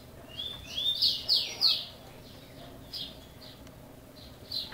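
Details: Chopi blackbird singing in a cage in Brazil: a rising whistle followed by three loud, clear falling notes in quick succession, then scattered softer chirps spaced about half a second apart.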